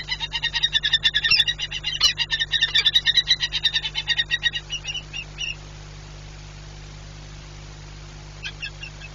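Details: Peregrine falcon pair at the nest in Płock, Poland, 4 April 2022, during frequent nest changeovers. A fast, harsh chattering run of about eight notes per second lasts five seconds and breaks off, followed by faint scattered notes.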